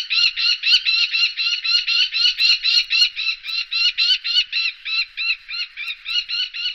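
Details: Common kestrel recorded in the Wittlicher Tal, 2018, uttering a long, steady run of rapid, arched, slightly whining notes, roughly four per second, with no pause.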